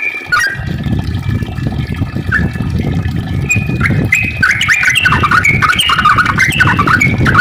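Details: Yellow-vented bulbul singing a long song meant to stimulate other bulbuls. Scattered whistled notes build into a fast, bubbling run near the end, partly masked by a constant low roar.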